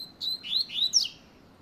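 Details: Short phrase of a double-collared seedeater's fast 'luxo' song: four high, sweet whistled notes, each slurring downward, ending on a brighter rising-falling note.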